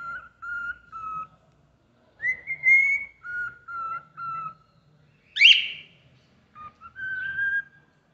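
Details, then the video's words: Whistled Happy Birthday melody from a cockatiel: steady paired notes, then a higher drawn-out note, a sudden harsh squawk in the middle, and a final rising whistle, with quiet gaps and a faint low hum. "CALOPSITA CANTANDO PARABÉNS PRA VOCÊ"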